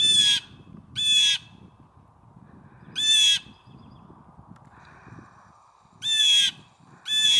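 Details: A male Blue Jay in nesting season, on a warm day, tells off a crow with five harsh, nasal alarm jeers in loose pairs, each about half a second long, over a faint low rumble.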